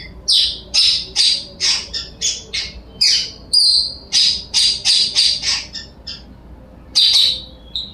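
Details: Shrill high chirps from a blue-crowned hanging parrot, rapid piercing notes repeated several times a second, with one slightly longer thin whistle midway and a short gap before a final burst.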